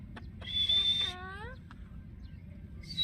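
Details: Pet green Indian ringneck parrot kept alongside an Alexandrine parrot: a shrill, steady high screech lasting half a second, then a harmonic, speech-like phrase that bends downward, followed by short clicks and another screech at the end.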